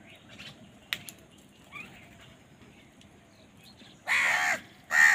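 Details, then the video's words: Crows squabbling over food: faint scattered chirps and clicks for four seconds, then two loud, harsh, hoarse caws close together near the end. "Crow Bird Fight for Food | Crow Bird Unity Anger and Crowing Sound"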